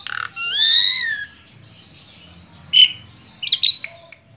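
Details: A tame Asian pied starling utters a short low buzz, then a long harsh arching note, followed after a pause by a few sharp chips.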